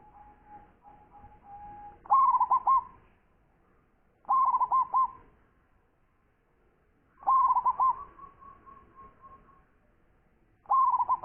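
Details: Loud-voiced champion local zebra dove singing: bright, bubbling trilled coo phrases about every two to three seconds, each rolling through quick wavering notes, linked by softer sustained tones.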